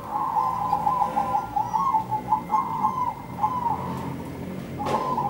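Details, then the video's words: Melodious zebra dove song, birds calling back and forth: a long rolling series of soft, quickly pulsed coos at an even pitch, rising and falling slightly in loudness, ending after a brief knock. "suara burung perkutut nan merdu"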